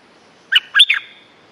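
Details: Stripe-throated bulbul, recorded as a lure for territorial birds, gives one loud, rich, bubbling phrase of three quick notes, slightly falling in pitch, in a quiet background.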